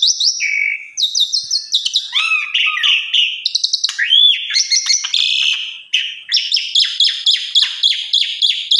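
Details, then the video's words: An Asian pied starling pours out a varied, rapid song of bright whistles, rising and falling slurs and buzzy chattering notes, ending in a quick repeated series. It is offered as a lure and tutor recording for other starlings. "Suara Burung Jalak Suren"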